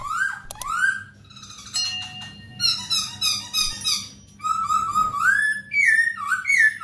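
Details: Captive masked laughingthrush singing for tutoring other cage birds: loud clear whistled phrases, rising and falling slurs repeated in quick bursts with brief pauses, some squeaky rattling notes early, indoor room echo.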